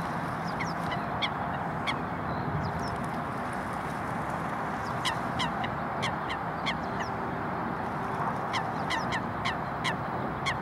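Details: Coots fighting on the water give short, sharp, high calls, single or in quick bursts of two or three, over a steady loud rushing background of water and wind.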